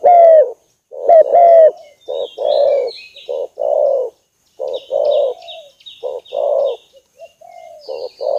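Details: Spotted dove lure call: a run of low, mellow coos, some rich and burry, delivered in quick irregular bursts, with high thin chirps and twittering from other small birds above it.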